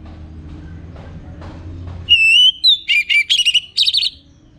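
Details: Orange-headed thrush from North Bali singing in the morning: after faint clicks, a loud clear whistle leads into a quick series of varied, twisting whistled notes lasting about two seconds.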